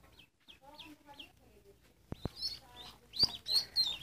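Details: Ducklings peeping in short high chirps, quiet and sparse at first, then louder, sharper peeps in the second half, with low harmonic squeaky sounds early on.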